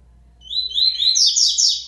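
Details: Double-collared seedeater born locally, singing again after moult: a bright, high phrase of quick slurred notes that climbs into dense, rapid twittering and carries to the end, with low hum underneath.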